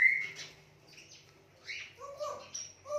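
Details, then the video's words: Talking Indian ringneck parakeet giving a quick series of bright chirps and short whistled notes, some falling, others flat, in a quiet room. "Talking Indian Ringneck Parrot Making Cute Noises"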